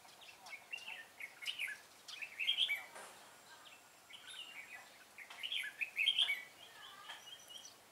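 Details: Decoy red-whiskered bulbul singing to draw in wild birds at a trapping site, 25 April 2017; lively chirpy warbles in short bursts about every three seconds over steady background hiss.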